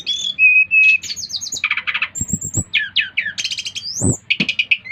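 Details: Brown-chested jungle flycatcher, Bali, in full song to stimulate rivals: a steady whistled tone, then fast chattering trills, buzzy repeated notes and upward-sweeping whistles, densely packed.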